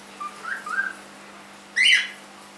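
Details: Three-month-old domestic cockatiel: two soft, short whistled notes climbing slightly in pitch, then a loud scratchy squawk sharply falling, with a quiet background hum indoors.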